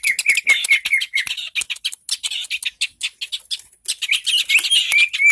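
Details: Long-tailed shrike from Indonesia in a dense, nonstop chattering song of harsh, buzzy, high-pitched notes, with thin slurred whistles threaded through the start and the final second.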